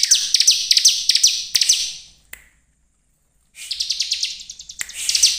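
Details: Lure song of a bar-winged prinia, used to provoke rival birds into song: rapid, very high, clipped notes in a fast series, a brief silence, then another trilling run.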